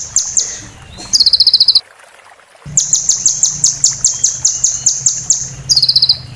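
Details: Oriental white-eye song: very high, thin notes in quick rolling trills and sharp chattering bursts, broken by a brief silent gap.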